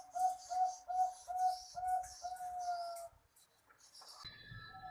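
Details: Zebra dove song, a master recording for coaxing lazy doves to sing: a fast string of rounded coos with hissy chirps above, breaking off after three seconds into a faint, different whistled note.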